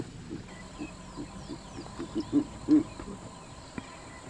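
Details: Verreaux's eagle-owl calling by day from up in a tree in Kruger National Park. A series of low, deep grunting hoots speeds up and swells, the last two loudest, over faint high chirps of other birds.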